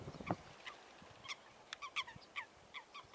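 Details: Eurasian coots, waterbirds, fighting: short, nasal, honking calls in a rapid, irregular series, some paired, with a few low thumping splashes underneath.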